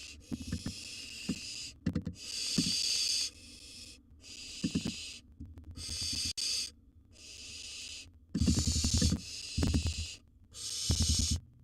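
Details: Nest box scene of a wild barn owl owlet with a large gerbil: repeated breathy screeching hisses, each roughly a second, alternating with clattering thumps and scuffles.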